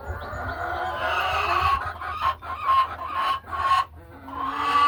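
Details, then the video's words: Laying hens in the hen house call in drawn, slightly rising notes broken by a few louder spaced clucks, with several birds overlapping and a low steady hum. "A Peaceful Afternoon in the Hen House | Real Farm Sounds"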